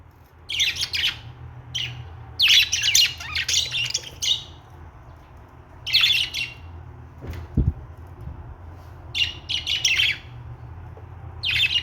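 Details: Budgerigar singing, with repeated bursts of raspy, chattering chirps every second or two over about twelve seconds, one low thump midway, and steady background hum.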